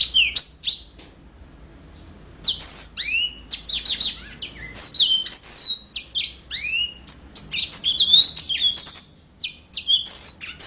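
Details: Brief chirps, a short gap, then extended yellow-fronted canary song of rapid, high, varied whistles and chips, many slurred downward, continuing in lively bursts to the end.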